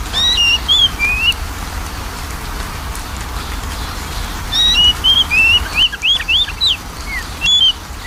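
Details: Magpie-robin lure song for a bird slow to sing: a clear whistled phrase of several slurred notes, a silent gap, then a faster run of upswept and looping whistles, with hiss throughout.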